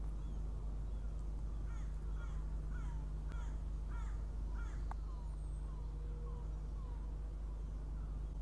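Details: Northern goshawk chick at a nest in Riga, Latvia, arriving for breakfast on an early June morning; a series of short, thin, downslurred calls repeated about twice per second, over steady low rumble of distant traffic.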